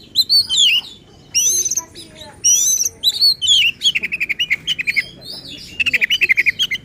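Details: Agitated oriental magpie-robin song meant to provoke rivals: rich slurred whistles and high notes, then rapid repeated chattering notes in quick bursts near the end.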